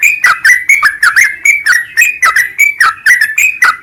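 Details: A sooty-headed bulbul delivers rapid, liquid whistles, each short phrase sliding down then up, repeated briskly and evenly in a lively chattering song over a clean background.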